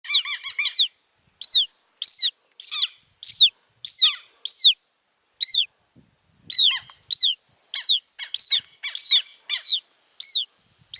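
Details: Southern lapwing chicks, said to be making noise from the moment they hatch; sharp arched peeping calls in quick bursts, some doubled or tripled, repeated irregularly about every half second with brief silent gaps.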